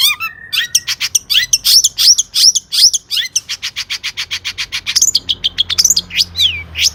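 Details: Long-tailed shrike, 'gacor' song with rich 'isian' fill. Varied whistles and downslurred notes lead into a long, steady run of sharp ticking notes at about three per second, ending in slurred whistles.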